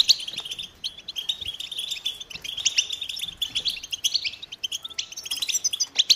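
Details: High, bright twittering song of American goldfinches, rapid chips and trills overlapping, with a few louder sharp notes toward the end.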